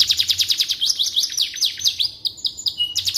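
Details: Canary singing, recorded as a model song for white-rumped shamas to learn: quick repeated chirps about two and a half per second, then a steady buzzy trill and a short drop.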